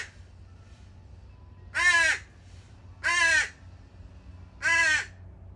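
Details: Juvenile crows left by their families at a feeding spot in the morning, begging: three harsh, nasal, wavering caws, each about half a second long, spaced roughly a second and a half apart, over a low background hum.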